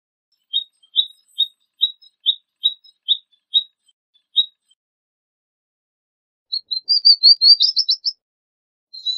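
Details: Palestine sunbird, Cinnyris osea: about ten spaced high chip notes repeated roughly every half second, then a quick accelerating phrase of rising chirps ending in buzzy notes. Quiet background.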